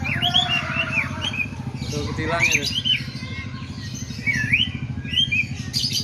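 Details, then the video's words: White-rumped shama singing in a bulbul-like style, mimicking sooty-headed bulbul: clear whistled upswept and looping notes at mid-high pitch, repeated in short phrases, over a steady low engine hum and some faint talking. "Suara Emas Burung Murai Batu ll Murai Rasa Kutilang"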